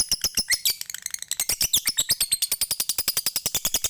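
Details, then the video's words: Lovebird from Bali, Indonesia, singing a long ngekek chatter meant to stimulate other lovebirds. A continuous rapid stream of high, shrill, rattling notes, about ten per second, with brief trilled flourishes. "MASTERAN LOVEBIRD KICAU MANIA BALI NGEKEK NGETIK PANJANG MANTAP BUAT PANCINGAN BURUNG LOVEBIRDMU"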